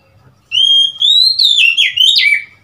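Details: ['Oriental magpie-robin on 3 March 2021: two steady whistles rise a little, then break into a quick run of bending, sliding notes that finish in a clear downward slur.']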